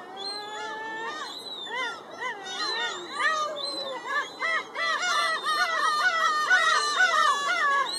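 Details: Several black-tailed gulls at Shinobazu Pond in Ueno, recorded 10 July 2011, give nasal, mewing calls with bent, rising-and-falling tones. Calls overlap from many birds in rapid succession and build into a dense, busy chorus toward the end.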